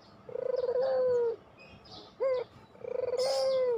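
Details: Pelung-type Barbary dove coo meant to draw quiet doves into song: two long, level coos that start with a rolling stutter, separated by one short rising note.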